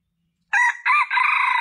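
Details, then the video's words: Crow of a junglefowl, played to lure in males: two short rough notes followed by a drawn-out, buzzy phrase that is cut off before it ends. No other sounds. "Suara Ayam Hutan Pikat Jantan Paling Ampuh"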